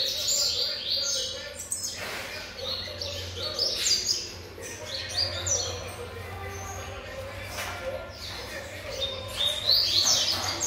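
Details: Seven-month-old young variable seedeater singing a dense run of high, rapid chirps and down-slurred whistled notes, about four per second, with a steady low electrical hum and brief talk in the background.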